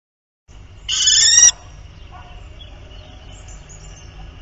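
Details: A common kestrel pair at their nest on 31 March, during the fifth day of copulation seen there, gives one harsh, strained, harmonic call lasting about half a second, followed by a steady low background hum.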